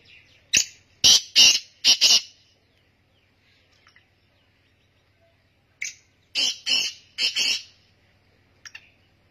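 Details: Black francolin calling in two bursts, each a harsh, grating phrase of three or four loud rasping notes. The bursts are separated by about four seconds of near silence, with a faint low hum underneath.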